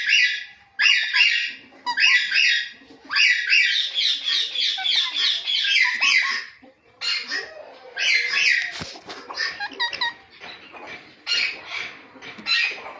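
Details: Natural chirping from a ringneck talking parrot: a dense, nearly continuous run of harsh, grating squawks in quick repeated pulses, easing into separated rasping bursts during the second half.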